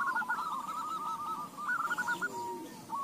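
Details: Several crossbred Bangkok-local zebra doves calling back and forth. A soft, trilled cooing phrase runs for about two seconds, then a brief pause and a single clear coo, with a low murmur underneath.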